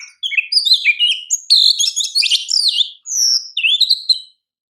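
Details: Champion Oriental magpie-robin, or kacer, singing a master song for training: a fast, varied run of clear slurred whistles, downward sweeps and scratchy trills, a brief pause, then a long rising-and-falling whistled phrase.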